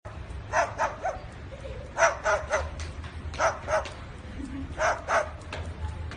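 A cockatoo barks like a dog in short, rough bursts, often in pairs or threes.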